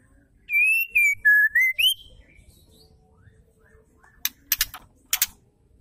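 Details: Whistled phrase of a female white-rumped shama, played to get male shamas singing: five smooth linked notes that step down and then sweep upward, followed after a gap by several sharp ticking clicks.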